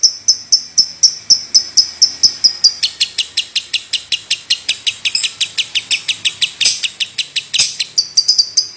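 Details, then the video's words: Lovebird's unbroken 'batuk' (cough) call: a quick run of thin high chips, turning harsher and buzzier near three seconds, then briefly cleaner again at the end. "Love bird Batuk terus tanpa jeda 9 menit lebih"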